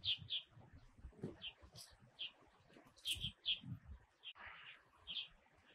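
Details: A Red-bellied thrush passing the winter in Taiwan gives a series of sharp, high clipped notes, single or paired, about every half second. A short burst of harsher noise and constant low rumbling are also heard.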